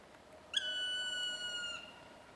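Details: Black woodpecker (Dryocopus martius) calling at its nest hole: one long, drawn-out, plaintive whistled call, slightly falling in pitch and over a second long, against a quiet background.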